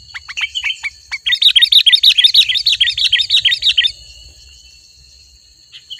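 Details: Sooty-headed bulbul singing to call in wild bulbuls: a few spaced sharp notes, then a dense, rapid chirping run for about two and a half seconds, and quiet afterward with a steady high tone.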